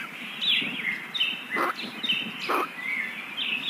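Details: Kingfisher nestlings, very young, calling as they are fed: drawn-out high wavering squeals that slide down in pitch, broken by two loud dull thumps, over a soft hiss.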